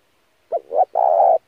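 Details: Single spotted dove coo phrase used as a training lure: a short note, a swelling middle coo and a long sustained coo.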